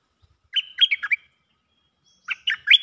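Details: Cream-vented bulbul calling for a mate with two brief bubbly phrases of four quick notes each, separated by about a second of quiet, the last note rising sharply.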